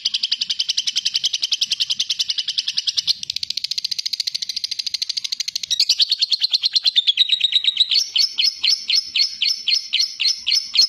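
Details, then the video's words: A lovebird sings an extended, clear ngekek chatter used to coax other lovebirds into singing. A fast train of high, harsh pulses shifts pitch several times and ends in sharper, evenly spaced chirps. "Lovebird Latah Ngekek Panjang dan Jernih Pancingan Love Bird Agar Cepat Ngekek Jernih"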